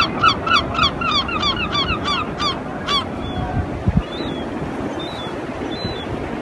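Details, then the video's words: Flock of European herring gulls calling loudly as they fly and fight; a fast burst of about ten harsh laughing yelps, then distant thin mewing calls against wind and background rumble. "Herring Gull Calling loudly"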